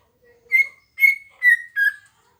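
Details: Green leafbird singing at a house: four clear whistled notes, each about a quarter second long, the last one slightly lower, spaced roughly half a second apart.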